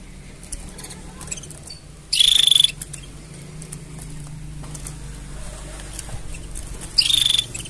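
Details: Canary giving mating sounds: a half-second shrill, rattling trill, silence for several seconds, then a second similar buzzy burst, with a steady low drone underneath.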